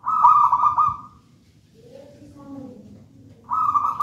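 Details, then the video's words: Wild-caught local zebra dove from a raja banana plant nest, singing vigorously: a rapid pulsed, trilled coo phrase of about a second, a quiet gap with faint low murmuring, then the trill starts again. "Perkutut manggung gacor"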